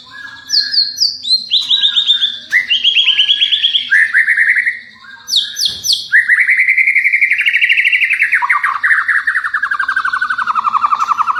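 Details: Champion white-rumped shama song used as a lure to provoke other shamas: varied whistled phrases with fast rapid trills, long descending rattling series, loud and continuous.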